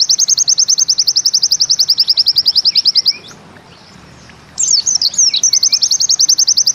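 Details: Rapid high chip trill from a white-eye in 'Bustomi' style, ending after three seconds, then after a quiet gap a fresh burst of twisting high notes launches another fast trill.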